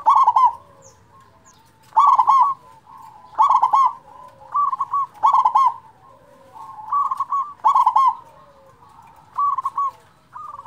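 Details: Zebra dove of a local strain with a big voice, used as a master lure for doves that rarely sing: about eight evenly spaced, percussive coo phrases across the stretch, each a quick rattling run of notes with faint rolling coos between.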